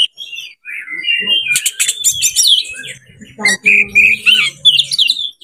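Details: Oriental magpie-robin in breeding condition, singing to lure other birds. A varied warbled song with whistled glides and harsh rattling bursts. Faint low humming sounds lie beneath the later part.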